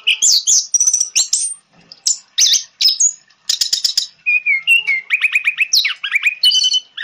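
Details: Orange-headed thrush singing in therapy audio for silent birds: a rapid, dense run of sharp chirps and whistles, then a repeated series of short ringing notes near the end, almost continuous.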